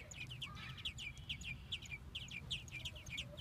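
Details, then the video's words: Baby American robins begging in their nest in Minnesota while both parents feed them: short, high, downward-slurred squeaks repeated quickly in uneven bursts over low background rumble. "Baby Robins in Nest Being Fed"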